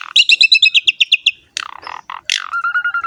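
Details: Asian pied starling song as a lure for starlings: quick chattering trill of about ten notes, a short rasping burst, then a harsh squawk sliding into a sustained low whistle.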